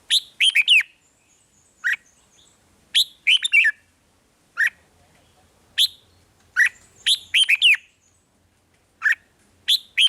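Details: Red-whiskered bulbul in 'rik' song, sung to make caged birds lively: a busy run of short whistled phrases and single sharp chirps, coming every second or so, bright and slurred, over a quiet background.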